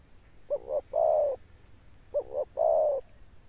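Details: Spotted dove cọp prized for its deep thundering coo and enduring final note, giving two phrases, each a quick stuttered double note followed by a longer falling coo, clear and close.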